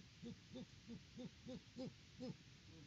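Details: Softer, more distant hooting from Great horned owls at a farm nest in Peabody, Kansas, in October. About eight short, even hoots come roughly every third of a second over a hissy background.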